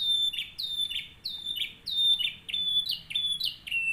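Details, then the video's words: Canary model song for teaching other canaries to sing: a run of loud, ringing whistled notes dropping in pitch, repeated in quick succession with brief gaps, clean and high-pitched, in a quiet setting. "CANARY SINGING 11 | LAGU TERBAIK KENARI BISA BUAT MASTERAN / PANCINGA"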